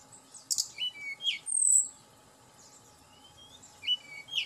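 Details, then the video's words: Fast high chirps and a piercing whistle from a Tledekan gunung, used as a lure for quick emotion and song, then quieter downslurred notes and scattered tweets. "Pancingan Tledekan Gunung Agar Cepat Emosi Dan Cepat Bunyi"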